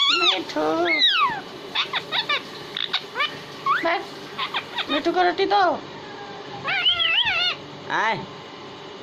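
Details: Talking parrot, described as Hindi-speaking, giving a rapid run of squawky, harmonic, up-and-down warbling phrases with rising and falling bends, broken by short clicks and pauses. A steady low hum sits beneath.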